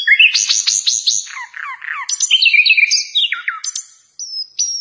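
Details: A flycatcher, named locally as a nightingale ("sikatan londo") and used as a song tutor for other songbirds, gives a rapid, varied song: quick high twittering notes and slurred chirps, then a few clear, sharp whistles near the end.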